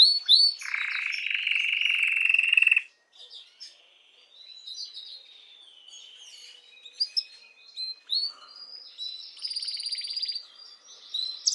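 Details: Canary singing to stimulate females for mating: a loud buzzy trill around the start, then softer warbled notes and rapid rolling phrases, ending in a high sustained trill.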